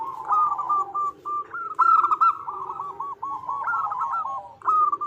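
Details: Local perkutut, a zebra dove female, calling a male, played as a lure: quick bursts of staccato, bubbling coos in short phrases, with brief pauses between them and a lower hum underneath.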